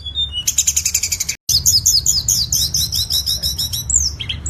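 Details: Tledekan song meant as a master recording for songbirds: a rapid buzzy trill, a brief gap, then dense fast chattering high notes and short slurs, over faint low hum.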